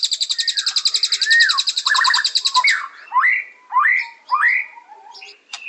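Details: White-rumped shama singing: a rapid high rattle, a burst of quick descending notes, then three loud rising slurred whistles, each about half a second apart, with brief chips between.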